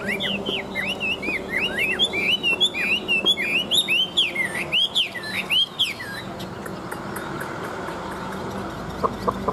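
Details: {'caption': 'Large wild-caught Chinese hwamei kept for fighting and singing: rapid looping whistles rising and falling in rich phrases for six seconds, then fading to quieter scattered notes over a low hum.'}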